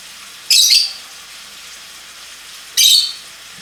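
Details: Two loud, rasping lovebird squawks, high and buzzy, each lasting under half a second and separated by about two seconds of near silence with only low background hiss.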